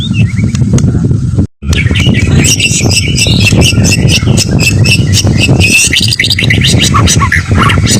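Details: Dense, rapid white-rumped shama song from a fighter bird: busy high chattering and whistled notes packed together after a brief silence, against continuous low background noise.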